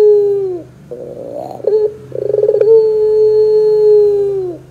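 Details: Barbary dove in a lure recording meant to prompt young doves to start singing. A rapid pulsed, chuckling run of notes sits between long, steady, low coos that fade downward at the end.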